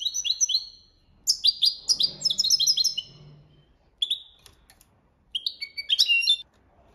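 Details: European goldfinch giving copia Malaga song for training: dense, fast tinkling twitter with buzzy trilled passages, a pause, then single sharp notes and a final burst of jangling chirps.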